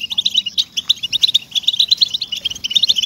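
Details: Motivational recording for caged European goldfinches: short burst of crisp, high twittering notes in quick bouncy groups, liquid and tinkling, clean background.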